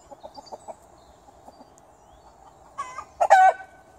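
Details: Chickens in a garden: a run of soft, quick clucks, then two loud, harsh, harmonic squawks near the end.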